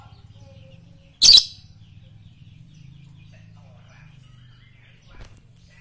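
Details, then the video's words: A single piercing, buzzy lovebird shriek stands out over a soft low hum, with a faint click later; from a masteran training track for morning, noon and night. "masteran Lovebird pagi siang dan malam"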